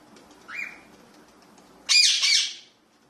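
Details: A cockatiel, filmed during mating, gives a short rising chirp, then a loud, harsh, broadband screech.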